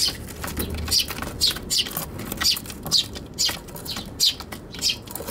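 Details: Eurasian tree sparrows contesting a box on a balcony on Tanabata 2021, recorded with an RX100M5A; rapid sequence of bright high chirps, roughly two per second, over soft low rumble.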